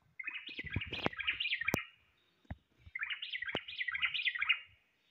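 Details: Common blackbird singing: two warbled phrases of rapid, wavering, undulating notes, each lasting about a second and a half, separated by a short pause, with sharp clicks and knocks in the background.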